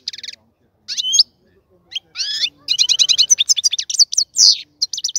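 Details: Singing European goldfinch kept in a cage set up for mating; short twittered phrases separated by gaps, building into a dense run of rapid high chirps and a harsh buzzy note near the end.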